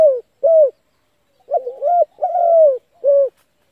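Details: Spotted dove coo played as a lure to stir wild doves into calling: low, mellow hooting notes, a short opening coo, then a wavering two-part phrase and a longer falling coo, ending with a final clipped note, on a silent background.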